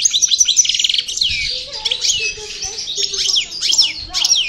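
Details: European goldfinch of the parva subspecies, Cravaty song style from El Bordj, singing on coming out of moult: fast liquid twittering and buzzy trills high in pitch, with faint low tones beneath.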